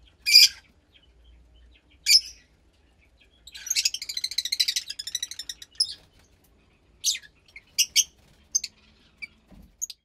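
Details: Fischer's lovebird chick, about 15 days old, offspring of a lutino and pastel blue pair; isolated sharp squeaks, a long rapid stuttering chatter in the middle, then scattered brief high chirps.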